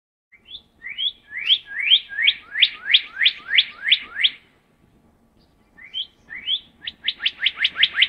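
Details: Northern cardinal (Cardinalis cardinalis), song.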